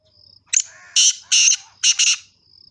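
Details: Male black partridge singing: a short sequence of harsh, grating notes, a sharp opening call and then three loud rasping blasts, the last doubled, with a faint high insect trill before and after.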